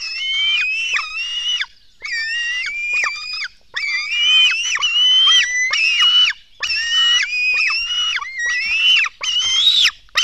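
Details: Nestling black storks beg loudly as food arrives at the nest, early morning of 24 June 2016. A continuous chorus of shrill, wheezing, up-slurred squeals runs in bursts of one to two seconds, broken by brief pauses.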